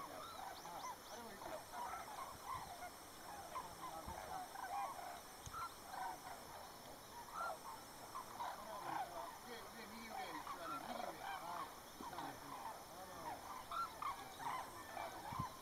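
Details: A flock of white-naped cranes starting their northward spring migration, circling in search of thermals at Arasaki on 27 January 2010, gives loud, overlapping trumpeting calls in a steady chorus over a faint hiss.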